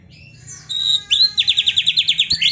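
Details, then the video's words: Training song of an Oriental magpie-robin: a drawn-out whistled note, then a quick even series of about ten repeated rising chirps. "KACER GACOR MASTERAN KACER ISIAN MEWAH"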